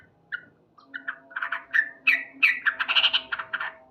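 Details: Sooty-headed bulbul male in loud morning song, starting with a few spaced clear notes, then speeding into a tumbling, bubbly run of chirps that grows fuller and denser toward the end.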